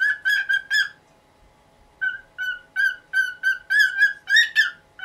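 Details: Nineteen-year-old pet cockatiel calling noisily in the morning, asking for the cloth over its cage to be removed; series of loud whistled, slightly harsh notes, rapid bursts with a pause, then steady repeated calls.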